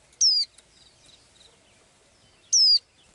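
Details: Small bird with blue eyes, heard in its daily singing: a strong, high, falling whistle, repeated after about two seconds, and faint scattered chirps between.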